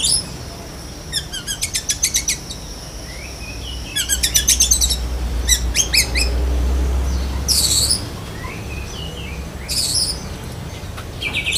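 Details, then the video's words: Kacer dada hitam, a black-breasted Oriental magpie-robin, delivering besetan kapas joined to lovebird imitation: several quick bursts of high rattling ticks, interspersed with thin squeaky whistles and slurred notes. "Kacer DAHIT besetan kapas tembak sambung lovebird"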